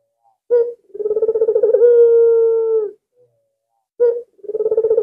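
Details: Highly vocal albino ringneck dove kept as a caller for other doves: a brief opening note, then a pulsing purr that smooths into a sustained even coo, repeated after a pause.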